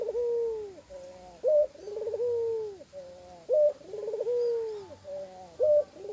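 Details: Unusually voiced spotted dove, its call carrying extra koak notes. Phrases repeat about every two seconds, each a clipped high note, a fluttering trill, and a long mellow coo falling away, over a quiet background.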